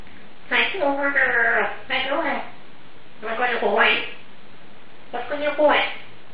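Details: Congo African grey parrot, a female known for a 350-plus word vocabulary, talking indoors: three separate humanlike spoken phrases with clear voiced tones, pauses between them.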